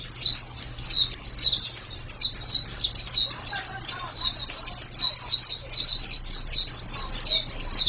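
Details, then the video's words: A white-eye (pleci) delivers rapid, high, sweeping chirps in an unbroken chain, roughly four notes a second, with faint lower chatter mid-way and a constant low hum behind. "Ini pasti pleci yang sangat super itu kicaunya"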